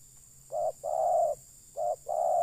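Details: Spotted dove used in luring wild birds, giving two phrases, each a short note and then a longer mellow coo, against a quiet background hum.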